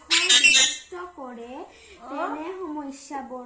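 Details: A caged Alexandrine parakeet, possibly angry, opens with a harsh, raspy squawk, then speaks in short, rising-and-falling, voice-like phrases mimicking human speech.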